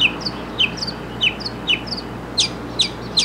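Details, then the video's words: Mockingbird singing short, sharp chirped notes that drop from high to mid pitch. They repeat about every half second, and later notes climb higher. A low steady hum runs underneath. "Mockingbird in Concert!"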